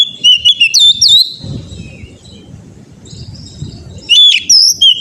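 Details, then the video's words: Oriental magpie-robin training song for a caged bird: whistled phrases with looping slides open the recording, a quiet low-noise pause follows, then another loud burst of clear whistles. "TERAPI KACER BAHAN AGAR CEPAT GACOR NGEPLONG"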